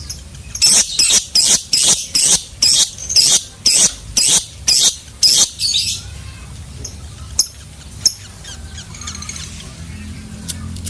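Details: Lovebird chattering in the 'ngekek' style: about a dozen harsh, shrill bursts at roughly two per second, ending abruptly, then quiet background with a few faint scattered chirps.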